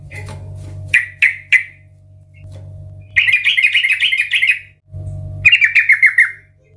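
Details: Lure recording of a loud, chatty yellow-vented bulbul: three clipped notes, then two lively bubbling warbled phrases, the second slightly descending, with bursts of low rumble between them.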